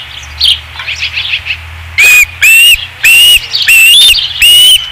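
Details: Osprey at its nest on 5 August 2016: soft chirping gives way to five loud, piercing whistled notes, each slightly upslurred, repeated about every half second.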